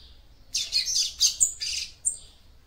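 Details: Female seedeater singing to stir up a male: a dense burst of high, rapid, scratchy chirps lasting about one and a half seconds, then a single clear note, in a quiet setting.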